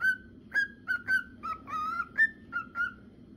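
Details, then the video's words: Male cockatiel song: clear whistled notes in a steady pattern, level, slurred and rising, with one drawn-out wavering phrase midway and a high upswept note near the end. A faint hum underlies them. "CANTO DE CALOPSITA para Treinar Calopsitas Assobio de Calopsitas Macho"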